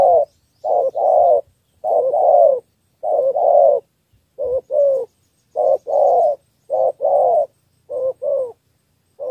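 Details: Spotted dove from Cà Mau in southern Vietnam, calling in a three-note style used to attract wild doves. Throaty, soft coos come in doubled phrases, short then drawn-out, repeated at an even pace with no other sounds.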